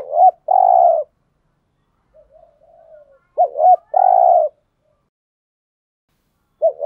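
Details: Spotted dove decoy cooing meant to make wild doves answer: two short rising-falling coos and a long drawn hoot, repeated twice about three seconds apart, with faint soft notes between and a third phrase beginning.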